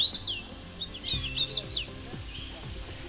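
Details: Hooded Warbler, a migrant from the tropics, sings a run of clear, slurred whistled notes in quick succession at about 2,200 feet in the Carolina Crescent; faint low sounds behind.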